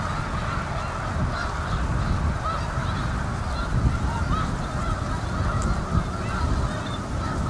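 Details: Canada geese on South Utica Reservoir in Utica, NY, in November; continuous honking from a large group, individual rising and falling calls audible within the chorus, plus low background rumble.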